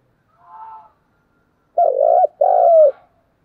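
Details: Spotted dove fighting call. A soft, faint coo is followed by two loud, hoarse, low coos in quick succession.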